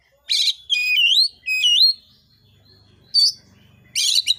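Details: Oriental magpie-robin singing to provoke other birds into song: a rough buzzy burst, then two looping upslurred whistles, followed by further scratchy chattering bursts. Faint low hum in the background.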